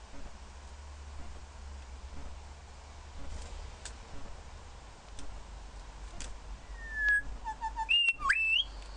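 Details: A male grey shrikethrush confronting his reflection in a mirror gives a brief burst of clear, ringing whistles that swoop up and down near the end, after several seconds of soft taps and background hiss.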